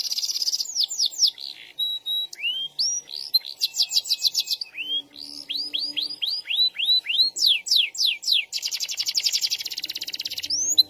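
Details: Canary in lively full song with long rolls: fast high trills, chains of rising whistled sweeps, and dense buzzy rolled phrases, shifting quickly from one phrase to the next, with a faint low hum partway through.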